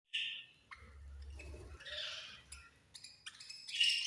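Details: Budgerigars chirping while feeding: harsh, buzzy chirps and squawks in bursts, loudest at the start and end, with soft low rumbling in between.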